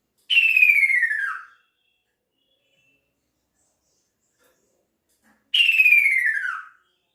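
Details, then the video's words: Calling male kaso-kaso bird seeking its female, giving two clear, rich whistles about five seconds apart, each lasting over a second and gliding steadily downward in pitch; no other sounds in between. "Kicau Burung Kaso Kaso Jantan Memanggil Betinanya"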